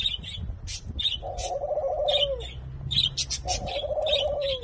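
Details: Hybrid of Senegal dove and ringneck dove, possibly second generation, courting in Thailand: two rolling, purring coos that fall slightly at the end, amid frequent sharp chirps from many small birds nearby.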